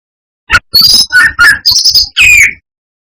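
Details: Brown-chested jungle flycatcher singing high and low notes as a rival-provoking lure: a short click, then choppy whistled notes jumping between higher and lower pitches, separated by brief gaps.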